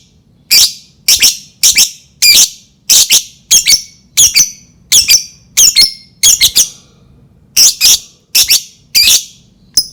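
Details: Lovebird calling to stir other lovebirds to sing, with loud, shrill, harsh chirps repeated steadily about one and a half times a second, some doubled, in a small indoor space.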